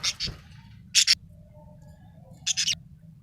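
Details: Cheerful budgie making paired and tripled short, very high, clipped chirps in three quick groups spaced about a second apart, with faint soft warbling between.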